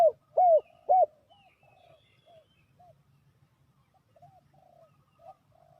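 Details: Spotted dove lure call for trapping wild doves: three loud round coos at the start, then quiet, scattered softer coo notes and faint background birds.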